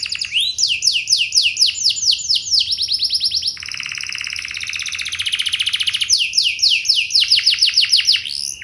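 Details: Canary in full song to set other canaries singing, with quick cascades of sweeping notes, a long loud buzzy trill, then more fast downslurred whistles, about four notes a second.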